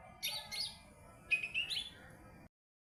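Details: Lesser green leafbird, small form, calling in short phrases: paired high, slurred whistled notes, followed by a longer rising and falling whistled phrase, then sudden silence.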